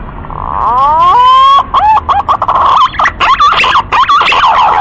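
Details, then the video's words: Loud green pigeon vocalisation opening with a soft tone, then a rising whistle with clear overtones, followed by rapid warbling, twisting whistled notes repeated in quick succession. "SUARA BURUNG PUNAI"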